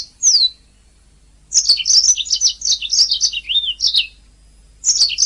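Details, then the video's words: Canary master song for training champion birds: a sharp falling whistle, a pause, then a long continuous phrase of fast bright chirps and a smooth wavering whistle, followed by a final high burst. "Ocehan Suara Burung Kenari"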